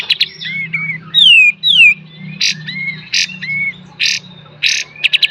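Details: Kapas tembak singing in a master recording for training cage songbirds, full beset and tembak style: short buzzy bursts, curving whistled notes and sharp down-slurred whistles, ending in a quick stuttering run of notes.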